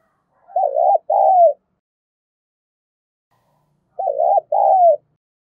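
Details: Spotted dove giving its call meant to stir up other doves, two-note coo phrases repeated about every three and a half seconds, each a quick wavering coo then a drawn-out falling one, quiet between.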